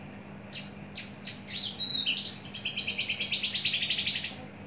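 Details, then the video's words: Caged Javan bush lark, long-kept and mature with a very large body, giving three sharp separate chirps, then a high whistled phrase sliding into a fast, steady trill of repeated notes that fades out. "Branjangan javanica MH rawatan lama usia mapan bodi super jumbo"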